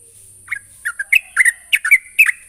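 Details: Sooty-headed bulbul calling a rival, a brief sequence of quick warbled whistle notes, several paired and slurred, growing denser toward the end, with faint hiss in the background.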